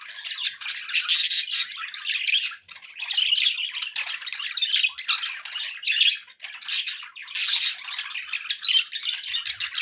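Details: Several pet budgerigars chattering together: continuous busy warbling and scratchy squawks in bursts, with a short lull near the third second and another dip around the sixth, then dense chatter resuming to the end.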